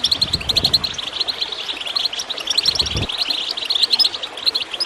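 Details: Goldfinch chirping over running water, a busy high twittering of quick liquid notes, with low gurgling bursts near the start and around three seconds.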